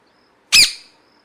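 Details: Parrot giving a single loud harsh squawk, a broad burst lasting about half a second, with a quiet background.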